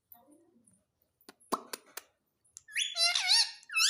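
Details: Pet Indian ringneck parakeet that talks, saying mummy and papa: faint low murmurs and clicks, then a loud sustained run of harsh, voice-like harmonic syllables.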